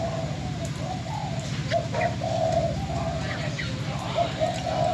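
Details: Spotted dove kept as a decoy in Bến Tre, Vietnam, filmed before going to a new owner, coos in soft drawn-out notes under a heavy constant low engine-like drone.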